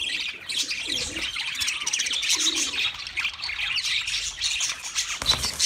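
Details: Budgerigars singing at home: bubbly high warbling and chirps without pause, two brief lower cooing notes around the first and third seconds, and a sharp click near the end.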